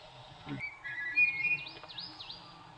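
A White-whiskered laughingthrush gives clear, steady whistles, then three quick, high swooping notes in a row. Faint background hiss.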